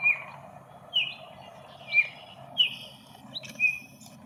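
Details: Baltimore Oriole singing in a local park in the morning: rich whistled notes, some slurred downward, delivered about once a second, with faint rustling and a low background hum.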